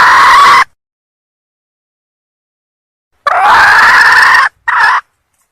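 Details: Hen red junglefowl of Sumatra calling to attract males, giving a brief harsh note, a long silence, then a longer grating cry and a short clipped follow-up.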